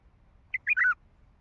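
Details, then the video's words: A wild Baghdadi bulbul with a heavy throat delivers one short, mellow phrase: a single clear note, then a fluid, slurred double whistle, over quiet background. "تغريد بلبل وحشي بغدادي حنجره ثكيله"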